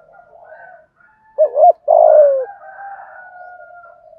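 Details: Decoy spotted dove cooing in a local-style voice to make a wild dove answer and approach: one doubled hoot then a drawn-out descending coo, over a faint continuous whistle-like hum.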